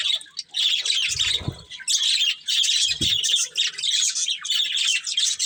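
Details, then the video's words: Loud scratchy budgerigar chatter from a breeding pair, continuous buzzy warbles with two short low knocks in between. "Cute Budgies Chirping Sounds"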